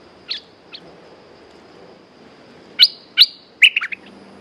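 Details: Red-whiskered bulbul kept in a cage, with two faint early chirps, a long quiet gap, then two strong upslurred whistles and a quick chattering trill of short notes near the end.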